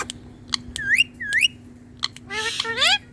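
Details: Tame green Indian ringneck parakeet chattering at its mirror: clicks and two clear rising whistled notes, followed by a harsher, buzzy burst with upward-sweeping squeaks.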